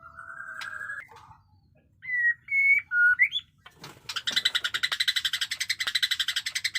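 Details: A white-rumped shama, freshly moulted, opens with drawn whistles and clean rising notes, then switches to a long harsh buzzy rattle pulsing rapidly, part of its batuk koral and muntah beling fighting song.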